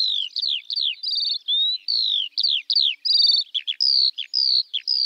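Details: Alauda arvensis, the Eurasian skylark, delivering high falling whistles in quick series, interrupted twice by short buzzing trills, then several longer downslurred notes, steady and continuous.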